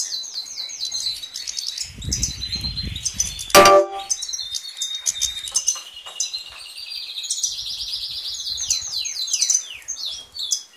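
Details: European goldfinch pouring out a long jingling twitter of fast repeated chirps and trills, broken once by a sharp loud knock, with some low rustling noise.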